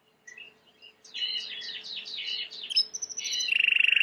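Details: Timbrado canary, white-plumaged, singing for training: soft scattered chirps build into a jumbled rapid warble, then a high tinkling run and a fast bright rolling trill.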